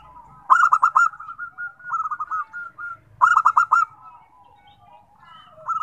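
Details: Zebra dove song, one bird setting others off singing: vigorous bursts of rapid pulsed cooing trills, then a softer fluttering coo phrase, a second loud trilled burst and quieter trailing coos.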